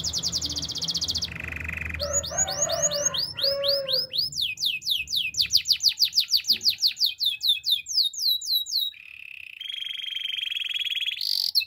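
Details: Timbrado canary song opening with a rapid trill and lower rolling notes, then long runs of quick downward-swept whistles repeated about twice per second, ending in a steady buzzy trill.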